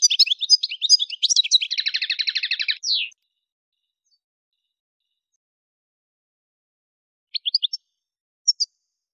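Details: Algerian goldfinch from Kef El Hamam near Souk Ahras, Algeria, delivering a quick twittered phrase that runs into a dry rattling trill of about 150 notes per minute and ends on a slurred note; silence follows, with a few scattered high chirps.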